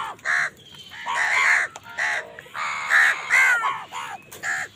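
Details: Crows squabbling with wild birds over food give a dense run of harsh, nasal caws, overlapping and nearly continuous, some drawn out and strained, with other birds calling underneath.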